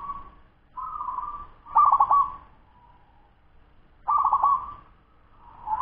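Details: Zebra dove, a ten-month-old local bird, delivering quick song: mellow coos with stuttering, broken starts, repeated in phrases a few seconds apart, the last one fading in at the end.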